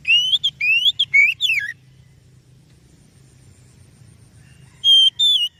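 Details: Lure song of an oriental magpie-robin, used to stimulate other birds: a quick burst of rising and falling whistled phrases, a pause of about three seconds with only a low background hum, then two more level whistles.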